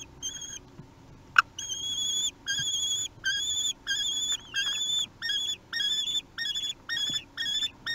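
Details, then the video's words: Common kestrel chicks three weeks old begging while being fed at a nest in Théding, 8 June 2021; loud, high whistled squeals with wavering pitch, repeated in quick bursts roughly twice a second, one sharp knock early on. "Repas, les fauconneaux ont 3 semaines"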